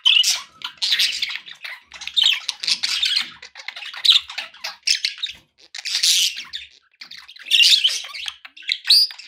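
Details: Budgerigar (Melopsittacus undulatus) chattering in rapid, scratchy warbles and chirps, with bright whistled notes mixed in.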